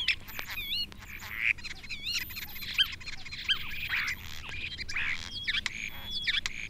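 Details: A starling in a British wood in January, having flown to a perch, sings a jumbled medley of wheezy whistles, slurred squeals and bill-clicking rattles, phrases tumbling quickly one after another.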